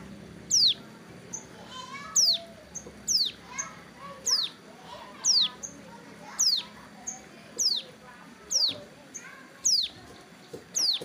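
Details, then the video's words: Hill prinia sunbathing at the roadside during wing moult, repeating about eleven bright, descending whistled sweeps at roughly one-second intervals, while softer chirps from other birds run underneath. "suara burung ciblek gunung"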